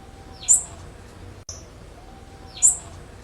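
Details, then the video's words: Blue-black grassquit female call as a warm-up: thin, very high chirps that rise and then drop, one about every two seconds, against faint background noise. "ESQUENTA TIZIU 10"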